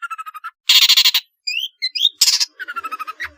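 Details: Long-tailed shrike singing a varied, filler-rich song meant to prompt lazy shrikes to sing: harsh, buzzy chattering bursts alternate with short, clear upslurred whistles, then a rasping rattle closes the phrase.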